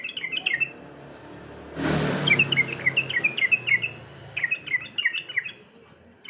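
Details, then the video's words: Sooty-headed bulbul competition song: quick bursts of short whistled notes, each dipping in pitch, with a loud rush of noise partway through and a low hum beneath. "Masteran Trucukan Lomba, Semua poin bunyi suara burung trucukan ada disini"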